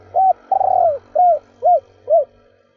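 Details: Female spotted dove coos in stuttering three-ending style to excite males: one arched note, a long wavering coo falling in pitch, then three evenly spaced rounded hoots, over a soft low background hum.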